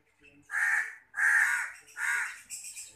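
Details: Pet hand-reared long-tailed shrike giving three loud, harsh, rasping calls, each about half a second long, followed by a fainter scratchy note.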